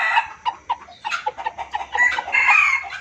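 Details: Junglefowl calls from a trapping lure recording: short sharp clucks repeated several times a second, building into a louder, harsher burst of chattering calls near the end.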